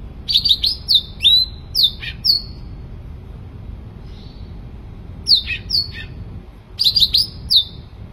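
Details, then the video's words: Vigorous song of a Sooty-headed bulbul, with three bursts of rapid, bright, down-slurred whistled notes, each burst holding several notes, separated by short silences. "cucak ranting gacor"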